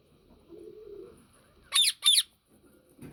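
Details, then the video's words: Two quick, loud, rasping screeches in close succession from a yellow ringneck parakeet, preceded by a soft low hum and followed by brief indoor clatter. "Yellow Ringneck Parrot Videos"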